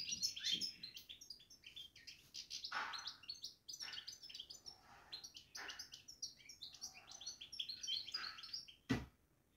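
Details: European goldfinch babbling in a cage, a lively, nonstop stream of chirpy, jangling twitters, with a loud click near the end.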